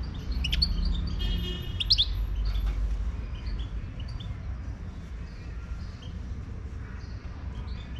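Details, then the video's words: Wild Moroccan goldfinch singing outside: a lively burst of stacked twittering notes and a rapid trill in the first three seconds, then only faint scattered chirps over low rumbling noise. "تغريد #الحسون الخلوي المغربي"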